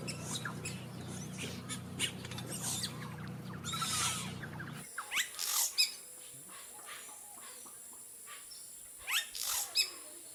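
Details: Yellow-rumped caciques, a colony-nesting species with hanging sack-shaped nests, calling around their nests when they have eggs: harsh crackles and sharp upslurred whistles in short clusters, separated by quiet gaps, with a low hum at first.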